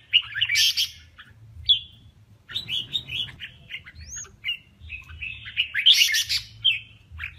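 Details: Male red-whiskered bulbul contest singing for provoking males: loud harsh rasping bursts alternating with sweet whistles, one rising clear whistle, and chattering phrases, a low hum throughout.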